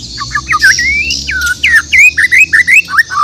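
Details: Bornean white-rumped shama in morning song, a rapid run of varied whistled notes, upslurs and downslurs, some harsh squawky elements, steady high hiss in the background.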